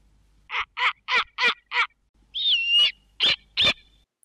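An owl gives five harsh, raspy screeches at about three per second, then a drawn-out squealing whistle and two more rasping notes. No hooting is heard.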